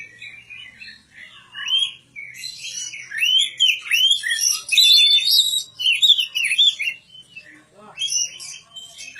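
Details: Young oriental magpie-robin being raised in a village, singing a varied, rapid run of sweet whistles, chirps and slurred notes, quiet at first and then building into a dense burst.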